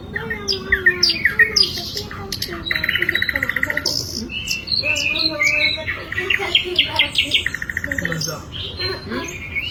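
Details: Varied, rambling song of an Asian brown flycatcher, mixing quick chattering notes, buzzy rattles, short slurred whistles and rising and falling phrases in a near-continuous stream, with low hum behind.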